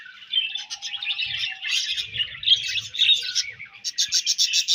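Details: Budgerigars warble in a steady stream of high, twittering chirps, ending in a quick run of evenly spaced, clicking notes.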